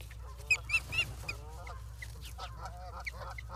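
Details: Osprey at a nest in Charlo, Montana, filmed by a live camera on 28 August 2023 at 16:08. Sharp, high chirping notes come quickly at first, then fainter, softer chirps follow, with lower chattering beneath.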